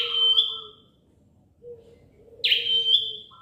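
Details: A small bar-winged prinia kept by bird fanciers gives two loud, ringing high notes. Each one opens with a sharp attack and then holds a level whistle. A soft lower tone and a faint low hum run underneath.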